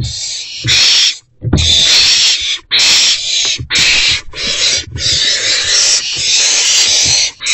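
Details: Three owlets in a nest box on the morning of 13 April 2024; long, harsh hissing screeches in near-constant overlapping bursts, broken by brief gaps and low shuffling knocks.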